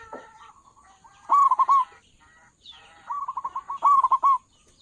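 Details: Local zebra dove with a strong voice, calling as a lure for dove trappers: a loud burst of bubbling coos, then a quick trill of repeated notes running into another warbled phrase, with faint high whine.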